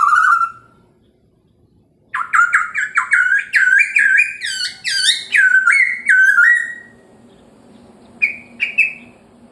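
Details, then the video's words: Morning song of a Chinese hwamei meant to provoke other birds: a single whistled note, a pause, then a rapid run of rich, warbling whistles rising and falling for about four seconds, and two later short whistles over faint background hum. "POKSAY HONGKONG kicau pagi hari buat EMOSI burung lain cocok untuk PANCINGAN pasti NYAUT dan GACOR"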